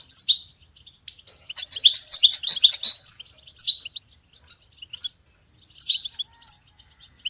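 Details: European goldfinch song meant to train and motivate songbirds: a dense run of rapid jingling notes for about two seconds, followed by short, separate high chirping phrases spaced a second or so apart.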